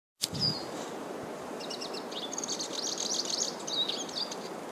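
A Black-chinned Siskin sings a fast, high, twittering run of thin notes and buzzy trills, with a sharp note at the start and light background hiss.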